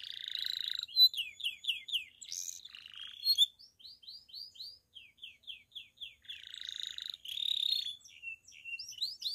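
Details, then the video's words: A painted Belgian canary sings a bell-type song: clear, high downslurred notes repeated in quick runs of four or five, broken by buzzy rolls and rapid twittering trills. The song is meant to stimulate other canaries to sing and bring females into condition. "Canário Belga canto CAMPAINHA (sing bell belgian canary)"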